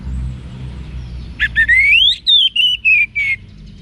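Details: Orange-headed thrush song used to train cage birds, heard as a single long rising whistle that slides up, then falls in stepped, slurred notes, over low background hum.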